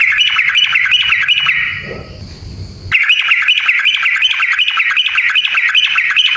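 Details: ['Sooty-headed bulbul in full song, a training lure meant to stir other bulbuls into singing. Dense, continuous rapid strings of rising-falling chirps with a brief pause of low background noise partway through.']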